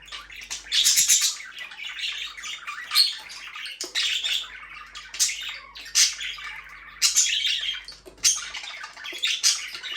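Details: Budgies chattering continuously: scratchy, squawky chirps and warbled notes rise and fall in loud bursts about once a second for ten seconds, with a faint hum early on.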